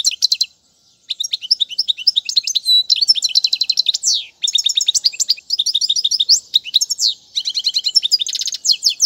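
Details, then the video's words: Singing European goldfinch, played to train fledglings: long, busy bursts of twittering, buzzy rattles and slurred upward notes, with brief pauses between phrases, including a short silence near the start. "أفضل تغريد الحسون"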